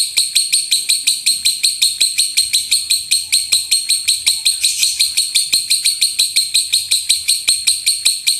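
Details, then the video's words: Loud shot-like gemuruh tembakan from a lovebird, intended to train birds to sing: continuous harsh buzzing pulses at a brisk even tempo, with a faint low background hum. "LOVEBIRD SUARA GEMURUH TEMBAKAN BURUNG LOVEBIRD"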